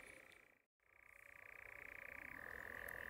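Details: European nightjar churring during courtship at dusk: a steady, mechanical, rapidly pulsed trill at one pitch, briefly cut by a short silent gap, then resuming and dropping slightly lower near the end.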